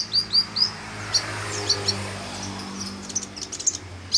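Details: Kolibri ninja, a sunbird, in vigorous song used as a tutor recording: three rising high squeaks open, followed by sparse sharp clicks and chirps against a steady low hum.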